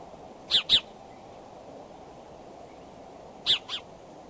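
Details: Bald eagles courting at their nest in Decorah on a February 2, 2012 morning around 9:30, calling from the branches: two pairs of sharp, high, clipped notes, each pair a quick double chirp, about three seconds apart over a steady background hiss.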